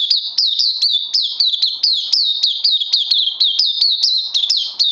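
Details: High, rapid song of a caged oriental white-eye, recorded 31 May 2020, made of bright looping chirps repeated around four times a second in an unbroken, energetic run.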